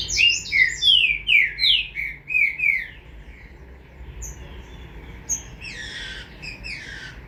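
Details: Green-winged saltator chick opening with a loud string of about eight slurred, downward notes, followed by fainter, rougher notes and quieter stretches.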